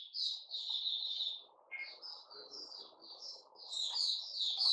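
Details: White-rumped shama singing on 29 August 2021, a fairly soft run of whistled and chattering phrases that rise and fall, pausing mid-clip and then resuming with brighter notes over a steady low hum.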